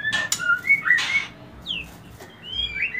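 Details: White-rumped shama song played as a lure to stimulate mating: clear whistled notes around two to three kilohertz, short rising and falling slurs with sharp clicks, separated by quiet gaps.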